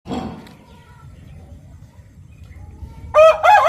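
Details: Rooster crowing: after a long quiet stretch and a brief scuffle, a loud, harsh, strongly ringing crow starts at the very end and is cut off after a moment.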